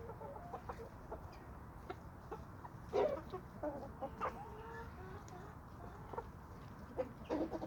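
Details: Free-ranging chickens and roosters on a small suburban homestead give an irregular run of clucks. A loud squawk comes at three seconds, and more clucks and brief cackles follow through to the end over faint background noise.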